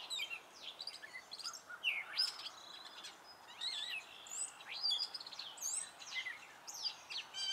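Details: A male Gray catbird sings a spring song made of short varied notes, often imitations of other birds, with some notes repeated: squeaky slurs, mewing whistles and scratchy chips, loud and continuous.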